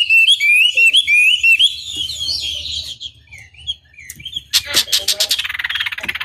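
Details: Chinese hwamei lure song for rival birds: a rapid string of bright whistled notes, softer scattered calls, then a fast rattling series of pulses at the end over low hum.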